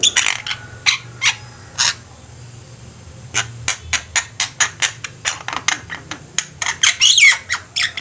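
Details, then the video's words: Javan mynas singing together, recorded as a master for training birds: scattered harsh scratchy notes early on, then a denser run of clipped, rasping squawks repeated roughly every third of a second. "Jalak ombyokan gacor, cocok buat masteran"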